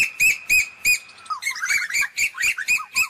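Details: Asian koel calling the flock: sharp, high, evenly spaced notes at first, then a quick bubbling run of shorter notes, roughly three and a half per second, with no other sounds.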